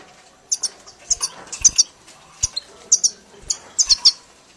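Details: Caged European goldfinch, tutored on the 'mili' song style, giving sparse, sharp high chirps and twittering notes in short clusters with quiet gaps, along with faint clicks and rustling.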